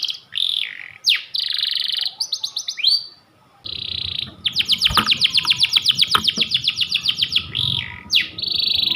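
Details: Kept panda canary delivering long, insistent song: buzzy rolls and looping whistles, a brief pause, then a long even trill of rapid repeated notes and more rolls, with a low background hum.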